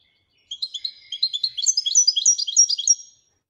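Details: A European goldfinch, locally named royal goldfinch, delivers a bright, rapid twittering phrase after a moment of silence: liquid chirps quickly stack into a tumbling, jingling sequence of high notes, ending abruptly.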